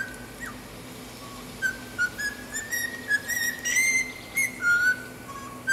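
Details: Pet cockatiel whistling learned tunes, a repertoire including the national anthem, a fiu-fiu wolf whistle and the Star Wars theme; clear whistled notes, some sliding and rising, in short phrases, over a steady low hum.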